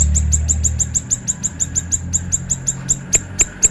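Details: Siri-siri bird singing in the sharp, chattering konslet style, used as a training recording for other birds: a fast, steady series of very high, thin chips, about six per second, over a low steady hum.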